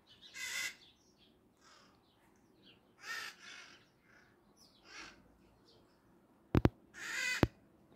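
Maritaca parrots give harsh, raspy screeches, four or so bursts about two seconds apart, over faint background hum and a couple of sharp knocks.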